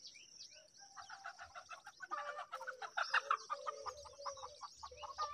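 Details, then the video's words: Young mynas begging during feeding, a dense stream of scratchy, buzzy notes that grows louder and busier after the first second, with several chicks overlapping; faint low thumps near the end. "Myna Bird Feeding Time"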